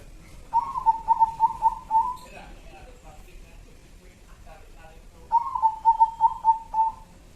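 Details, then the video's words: Local zebra dove used as a lure, Jambi: two stuttering cooing phrases, each a quick series of about six soft, rolling notes, separated by a few seconds, with a faint background hiss. "suara perkutut pemikat"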